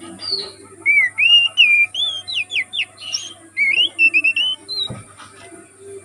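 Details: Forest-dwelling oriental magpie-robin delivering varied whistled song: slurred upswept and downswept notes, quick sharp descending strokes, then wavering whistles, with a constant low hum and high tone beneath.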